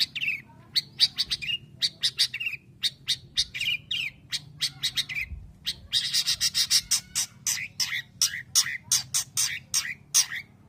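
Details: Long-tailed shrike from Indonesia delivering a fast, varied string of sharp chips and rasping, slurred notes in quick bursts with barely a break.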